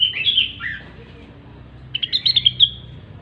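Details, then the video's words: Cucak wilis, the grey-cheeked bulbul, in gacor song: a warbled phrase dropping in pitch, a pause, then a fast pulsing trill of high whistled notes. "Rengganis/Cucak Wilis Gacor"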